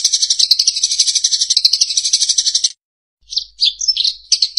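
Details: Eurasian tree sparrow, a master recording meant for songbirds to learn from: rapid, even, high chirps for almost three seconds, a brief pause, then looser, varied twittering notes.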